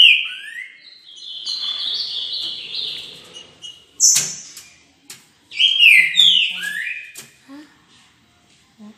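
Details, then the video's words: Green-winged saltator song, played to stir a kept saltator into singing: loud, rich whistled phrases sliding down and up, a long warbled run over the first three seconds, a sharp note, then another bright whistled burst after a pause, with faint clicks. "11 min para atiçar seu trinca"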